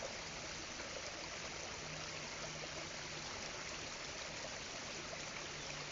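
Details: Steady rushing of flowing water, like a stream or trickle, runs throughout with no animal calls.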